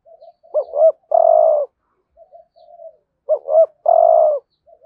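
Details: Spotted dove used as a lure to draw in wild doves, giving the full 'thúc gù' calling series in the 'hạp bổi' voice: two phrases, each a quick looped double note and then a long, steady, mellow coo, with soft murmurs between. Background is quiet.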